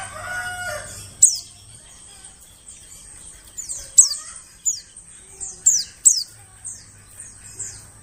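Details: Forest lure of white-eye calls: a rooster crows at the start, then thin, high descending chirps follow singly and in small bursts, with a low hum at the start and again near the end.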